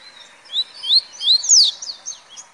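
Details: A double-collared seedeater sings a brief velocista phrase of four or five quick, high, upslurred whistles over steady background hiss.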